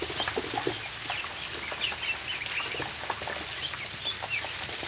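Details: Barn ducklings at feeding time, a steady stream of small high chirps overlapping one another, accompanied by rustling bedding and soft knocking sounds.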